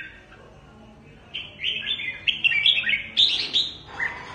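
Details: Wild-caught red-whiskered bulbul from Cao Bang, kept as a trapping decoy, singing a lively run of bright, warbling whistled phrases that climb higher toward the end, over low background hum.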